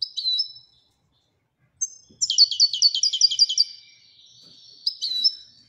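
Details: Royal European goldfinch song: a short high chirp, a pause, then a rapid run of sharp, jangling twittered notes around two seconds long, ending in a few clipped chirps in a quiet setting.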